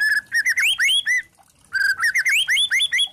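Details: White-rumped shama song meant to provoke other shamas to sing: rich warbled phrases of slurred rising and falling whistles, a short pause, then a similar varied phrase.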